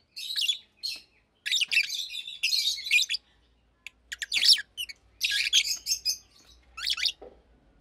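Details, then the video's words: Two adult captive Fischer's lovebirds, almost two years old, one pastel green with orange-tinged face and one blue with white head, chirping and singing by day; dense bursts of high, scratchy chirps and twitters in rapid clusters with short pauses between. "Lovebirds Chirping, Lovebirds Singing - Two Agapornis Fischeri"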